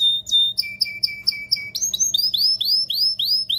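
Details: Domestic canary singing a vigorous song meant to stimulate males and females for mating: a steady whistled note, then rapid clipped tours of repeated syllables, ending in fast rising upswept notes at about three per second.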